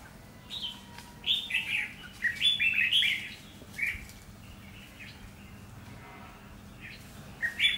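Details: Caged red-whiskered bulbul used as a decoy, singing to lure a wild rival into a trap: bright, whistled phrases of quick rising and falling notes come in short bursts, with a loud cluster in the middle and brief pauses between them.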